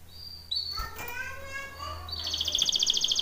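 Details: Singing canary, given as a Belgian canary on a training recording: short high whistles and a stack of soft harmonic tones, then a fast, bright, bubbling trill building in loudness; faint low hum beneath.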